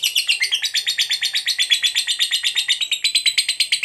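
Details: Fighter lovebird giving a long 'ngekek' trill, used to provoke other lovebirds into answering: a harsh, rapid chatter of buzzy notes, about three per second, held steadily for nearly four seconds with no pause.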